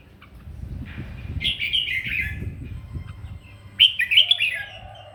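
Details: Red-whiskered bulbul in morning fighting song, voice training: warbled whistled phrases early on, over low rumbling noise like handling or movement, then a louder, sharper burst of slurred notes near the end.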